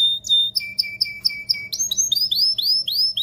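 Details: Canary giving an excited song to ready females for mating, with sharp repeated whistled notes dropping in pitch, followed by a series of rising arched whistles.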